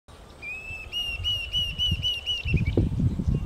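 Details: Diederik cuckoo calling at Bahir Dar, Ethiopia, on 17 October 2022: a rapid string of clear, high whistled notes with a slight upward lilt. The series ends as low rustling and thumping noise rises.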